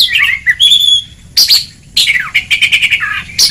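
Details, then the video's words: Oriental magpie-robin song, ngeplong style, recorded as training material for a lazy singer: high whistled phrases broken by harsh scratchy bursts, then a fast, pulsing trill of repeated notes. "Kacer Ngeplong!!! Masteran sangat ampuh untuk terapi mental kacer malas gacor"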